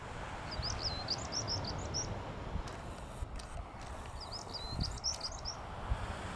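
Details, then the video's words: European stonechat singing at Hengistbury Head on 21 March 2019: two short bursts of high, scratchy, twittering notes about a second long, separated by a pause, over steady low wind rumble. "Singing Stonechat"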